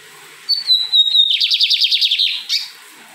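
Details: Lined seedeater, called bigodinho, singing persistently in the Fátima neighbourhood of Maranhão, Brazil: a long, thin whistled note near level pitch, then a fast rhythmic run of about a dozen buzzy repeated notes, ending in a short rising flourish.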